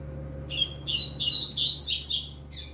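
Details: Young double-collared seedeater delivering firm training song, green-winged saltator in the background; one continuous run of fast, buzzy, rising-and-falling high notes lasting about two seconds, then a brief tail note.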